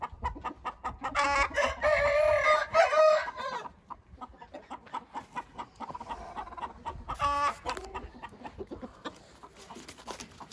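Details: A Hint rooster's long, rough crow of about two seconds opens the sequence, followed by steady clucking and a shorter crowing burst later.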